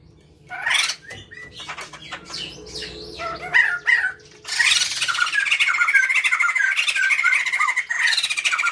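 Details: A male and female pair of white-crested laughingthrushes calling loudly, used as a lure: harsh squawking bursts early, then a dense chattering chorus of rapid repeated notes from about four and a half seconds on.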